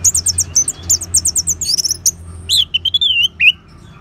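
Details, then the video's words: Orange-headed thrush song used to stimulate caged birds to sing, from northern Bali: rapid series of high chirped notes, then a run of varied whistled phrases sliding up and down, with a low hum beneath. "Suara Ngeban Untuk Pancingan ANIS MERAH"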